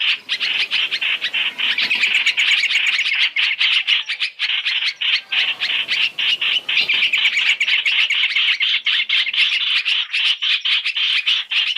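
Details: {'caption': 'Black-throated laughingthrush, three-in-one trapping lure. Unbroken, busy chattering of high sharp notes continues for the whole stretch, evenly loud, with only tiny gaps between bursts.'}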